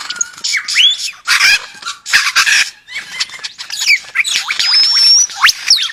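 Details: Lyrebird of the Australian forest producing a rich, tumbling medley of sounds. Sweeping whistles and harsh rasping bursts mix together, and a long, thin, high whistle appears near the end.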